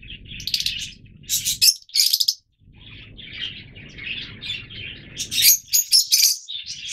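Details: Yellow Fischer's lovebirds, a colour mutation, giving bursts of shrill, harsh chirps and chatter, several birds overlapping in quick clusters with brief pauses, over a low steady background rumble.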